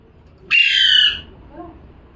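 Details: Parrot giving one harsh, grating squawk of about three-quarters of a second, loud and broad-toned, followed by quiet room background.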